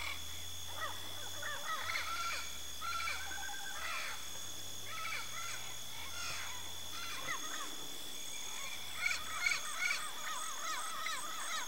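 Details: A yellow-faced parrot (Alipiopsitta xanthops), a Brazilian endemic of Cerrado and dry Caatinga woodland, gives harsh, squawking chatter in irregular bursts, two or three a second, over a steady high insect whine and low rumble.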